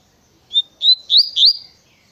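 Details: Double-collared seedeater in the tui tui natureza style: a thin whistled note, then three rising slurred whistles quickly run together into a short, bright, high-pitched phrase.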